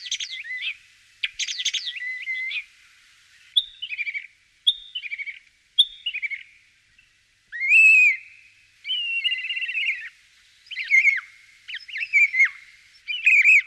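A common starling sings a rambling medley of chattering clicks, wheezy whistles and warbled phrases, shifting pitch every second or so, with no other sounds.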